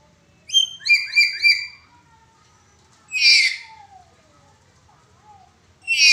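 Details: Black-capped lory giving its 'suara pecah' cracked-voice call, a recording used to train other birds: a quick run of four whistled, stepped notes, then a harsh raspy screech, a thin descending whistle and another loud screech at the end.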